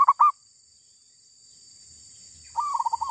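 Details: Zebra dove heard while trapping wild birds, a female being caught. Two short loud clipped notes open, then silence, then a soft rolling trill of rapid even pulses.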